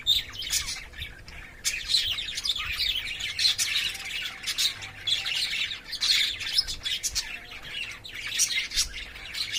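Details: Chattering pair of caged lovebirds during courtship play: continuous high, rasping squawks and twittering notes, busy and uneven, with brief louder shrieks scattered through.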